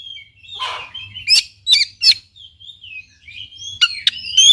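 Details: Oriental magpie-robin song played to coax a quiet bird into singing: mixed whistles, a brief raspy note, sharp clicking slurs, and rising whistled phrases building louder toward the end.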